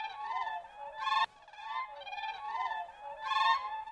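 Siberian crane giving high, clear, flute-like calls in overlapping voices, with two louder, ringing bursts about two seconds apart and steady tonal notes between them.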